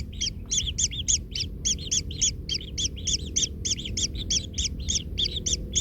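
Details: Baby kingfisher in a nest, trampled by its parent until it hurts: rapid, harsh double-toned chirps repeated about three to four times a second, overlapping, steady throughout, with a low rumble underneath.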